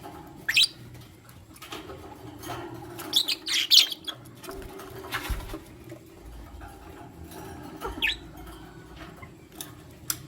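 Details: Chirping from lutino lovebirds, a male with two females: short, harsh, high-pitched bursts scattered irregularly, with a denser run of several shrill notes near the middle and faint rustling between calls.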